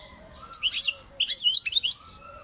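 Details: Two quick phrases of high, tinkling twitter from a European goldfinch, each under half a second, rapid jumbled chirps with a faint steady background hum.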